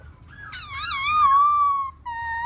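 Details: Black-throated laughingthrush singing while dancing: a rising whistled phrase that bends up and down, then settles into a long, steady clear whistle, followed after a short gap by another level whistled note.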